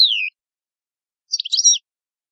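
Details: {'animal': 'European goldfinch', 'caption': 'Italian goldfinch (cardellino) with a short falling whistle, a pause, then a brief jumbled twitter.'}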